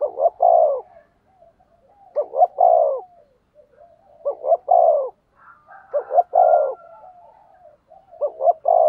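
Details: Decoy spotted dove calling to attract wild birds, Vietnam: repeated phrases of two short clipped coos followed by a longer falling coo, roughly every two seconds, with faint soft coos between phrases.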